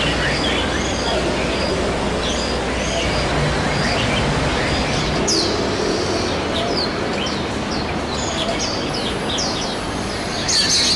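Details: White-eyes in the wild, a parent looking after young until they can fly: scattered high, downslurred chirps in uneven bursts, with a sharper squeak near the end, over constant low background hum.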